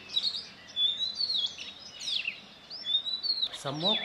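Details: A male Oriental magpie-robin sings before dawn under a still-dark sky near Satpura, Central India, proclaiming territory and seeking a mate: clear, varied whistled phrases sliding up and down, ending in a harsh buzzy note over faint hiss.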